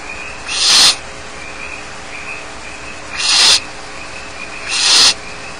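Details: Three rasping, hissed begging screeches from barn owl chicks left alone in their nest at Starr Ranch, spaced unevenly over several seconds, each swelling briefly and then cutting off.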